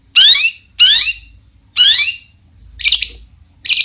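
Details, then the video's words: Long-tailed shrike uttering loud, harsh, rising rasps in a provoking song meant to make other shrikes answer; three strong grating notes about a second apart, then two shorter scratchy bursts. "cendet gacor Variasi BIANGNYA bikin cendet lain emosi ikutan bunyi langsung NYAUT"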